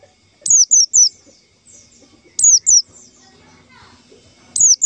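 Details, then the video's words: White-eye lure call used to attract and trap white-eyes: very high, thin, sharply falling notes, given in quick pairs or triplets with short pauses between groups. "suara panggilan pleci untuk pancingan pleci"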